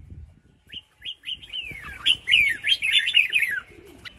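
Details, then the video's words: Female red-whiskered bulbul calling to stimulate males into singing. Her voice carries a rapid run of clear, whistled, slurred notes that rise and fall, growing louder through the middle, then a pause and a final note, with faint low rustling beneath. "Chào Mào Mái Kích Trống"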